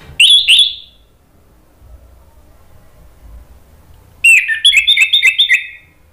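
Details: Orange-headed thrush (anis merah) in full song, used as a lure to provoke rival birds into answering; a brief pair of rich whistled phrases, a gap, then a fast run of varied fluting and rippling whistles.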